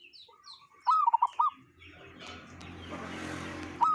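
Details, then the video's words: Local zebra dove with an unusual voice: a quick burst of loud, bent cooing notes near one second in, then a rising rush of broad noise and one more coo at the end. "Perkutut lokal suara aneh"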